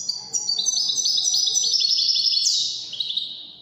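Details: European goldfinch delivering Moroccan Wedani-style song, a continuous run of rapid, high, tinkling twitters with a sharp descending slur near the end, sustained and bright throughout.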